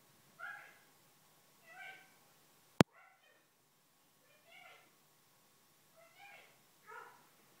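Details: Pet female Eclectus parrot murmuring to herself at dawn on waking, soft speech-like syllables repeated roughly every second or so in small groups, broken early by one loud sharp click, otherwise a quiet room.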